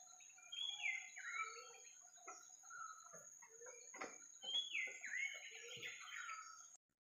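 White-browed Fantail giving two clear whistled phrases that step downward, about four seconds apart. Softer chips fill the gaps over a steady high insect-like whine.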